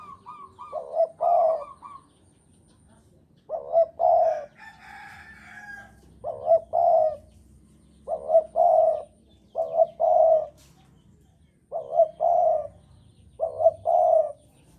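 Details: Strongly courting Javanese spotted dove giving repeated song phrases about every two seconds, each a quick higher lead-in note followed by two or three deeper, husky coos. Faint background calls are heard between phrases.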